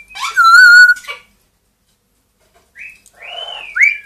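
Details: Pet grey parrot, two years old, and one-year-old Amazon parrot kept indoors; a loud steady whistled note with rich harmonics, a pause, then thinner rising whistles sliding upward.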